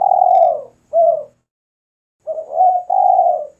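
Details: Loud Spotted dove in vigorous song, for luring and masteran training: a long descending coo and a short curved coo, a silent pause, then a hesitant rising note into two drawn-out, rolling coos.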